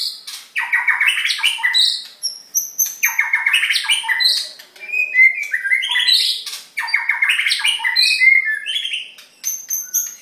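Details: Three white-rumped shamas singing together: loud, rich phrases mixing clear whistles with harsh, squawky notes, sweeping between middle and high pitch, delivered in dense bursts about every two to three seconds with brief gaps between.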